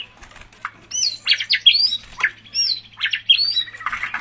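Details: Caged white-rumped shama giving short high whistled and scratchy notes in quick bursts, with a faint steady hum behind.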